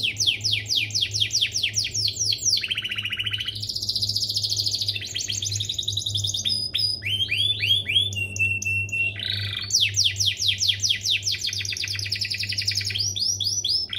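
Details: Domestic canary song for training young canaries to copy: fast rolling trills of repeated downward-sweeping high notes, switching between tour patterns, with a steady low hum underneath.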